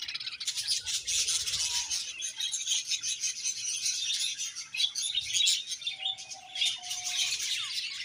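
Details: A happy colony of budgerigars chirps together in a dense, continuous chatter of high warbles and twitters, with a few clearer whistled notes rising above the crowd.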